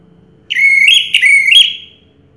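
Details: Orange-headed thrush, a 2022 first-place contest winner, giving a single clear, sustained whistle that wavers slightly in pitch, breaks briefly, then resumes and fades out on a falling tail.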